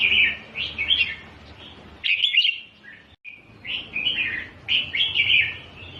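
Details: Bulbul song for training young birds to sing, a red-whiskered bulbul delivering its doubled style: loud, fluty warbled phrases repeated in bursts with brief breaks, steady and close.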